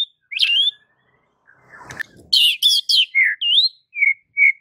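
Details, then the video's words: White-rumped shama (murai batu) training song: sliding whistles, then a quick run of sharp, high chirped notes and a few clear repeated whistles, with a brief rustling noise in the middle. "Jangan Kaget jika Murai Batu anda langsung NGAMUK - NGAMUK & MUNTAHIN ISIAN dengar MASTERAN ini"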